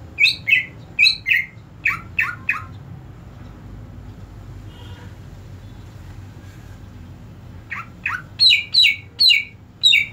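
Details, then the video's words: A greater green leafbird (cucak ijo), shown during therapy for a leafbird that had stopped singing, gives bursts of loud, high chattering notes in several quick squawky phrases, pauses about four seconds, then gives another run. "Cucak ijo macet bunyi"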